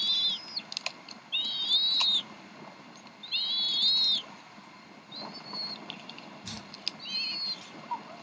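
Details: Decorah bald eagle nest in the evening of 26 April 2012, 7:50 pm CDT, mother feeding three eaglets. High thin wavering whistles come in bursts about every one to two seconds, with a soft rustle between them.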